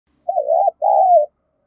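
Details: Spotted dove (cu gáy) with the 'giọng thổ' voice, cooing in the thúc gù and gáy gọi styles: two mellow low phrases, a wavering coo, a short gap, then a longer smooth coo sliding downward. The background is quiet.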